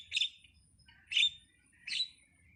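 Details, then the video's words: Starling (jalak) giving three harsh, buzzy chirps about one second apart, each a short burst of rasping high notes with a faint whistled tail, against a quiet background. "suwara //burung jalak//"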